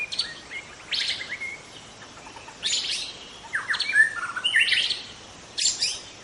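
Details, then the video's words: Juvenile wild white-rumped shama from the forest uttering scattered sharp chirps and short descending whistles in irregular bursts, with quiet spells between. "Kicau murai muda hutan"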